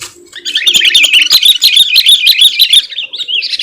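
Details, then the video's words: Sooty-headed bulbul (Pycnonotus aurigaster) singing to lure wild birds and provoke rival males: a continuous rapid stream of high chirping, bubbling notes lasting about two and a half seconds, ending in a few softer whistles. "suara kutilang gacor 💯 dapat memancing emosi lawan si burung⁉️Pycnonotus aurigaster"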